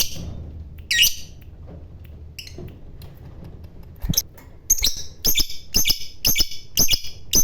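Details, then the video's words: Fighter lovebird starting with sparse harsh chirps, then settling into a quick regular run of sharp, high notes about twice a second, each with a click, over a low rumble. "Burung Labet Ngekek Fighter"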